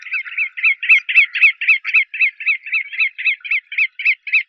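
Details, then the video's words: A bar-tailed godwit gives a steady run of sharp, nasal, mid-pitched notes, about four every second, with no other clear sounds. "Audio de la Aguja colipinta"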